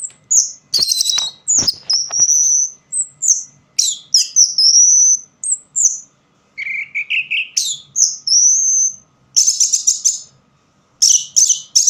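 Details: Orange-headed thrush singing continuously in poor light, a rich medley of sharp clicks, high warbled whistles, a run of lower rising notes and rapid rattling trills, with brief gaps between phrases.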